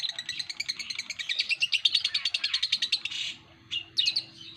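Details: Fast pulsed ngekek chatter from a lovebird for about three seconds, ending in a harsh burst, then a couple of short buzzy squawks.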